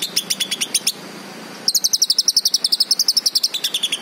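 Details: Fast, high-pitched notes from a green leafbird: a brief series, a short gap, then a long rapid trill that drifts slowly downward and steps lower near the close.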